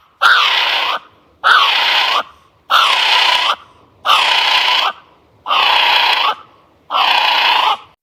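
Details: Kiwi of New Zealand, whose nocturnal calls signal its presence in forests, gives six loud, shrill notes about once a second, each dipping and then lifting into a harsh, drawn-out whistle.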